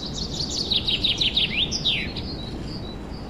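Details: Spring forest birds, 2023, wild: a loud run of rapid down-slurred chirps ending in two longer descending notes, then faint high whistles over steady hiss.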